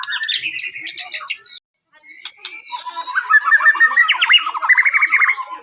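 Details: White-rumped shama song used to provoke other shamas, 'cess plengg' style: fast high chirps and trills, a brief pause, then dense lower rolling warbles with sharp accented notes.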